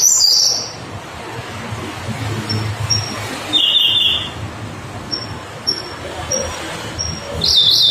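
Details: Siberian blue robin song with thin high whistled notes spaced across the recording, a short buzzy trill near the middle and a louder trilled burst at the end, over low background noise.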